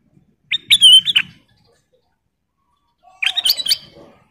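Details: Two separate bursts from a sooty-headed bulbul, each a lively phrase of clear, warbled whistles and sharp chirps, split by a long silent gap.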